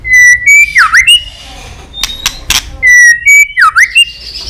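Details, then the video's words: White-rumped shama female voice, 'tạch líu' style, played to fire up males for combat: a clear level whistle, then a dipping swoop and clicks, the phrase given twice. "Chòe lửa tạch líu giọng mái kích lửa"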